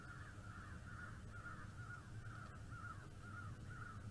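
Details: Bald eagle on a live stream, 09.12.2021 at 15:58: a run of about ten short, slightly down-slurred piping notes, roughly three per second, over a steady low rumble of wind or equipment noise.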